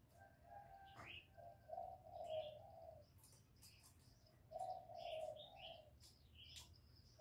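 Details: Low rolling coo phrases of a spotted dove, played to stimulate newly kept birds. Two separate coo sequences of several notes each are heard, with bright chirping small birds in the background.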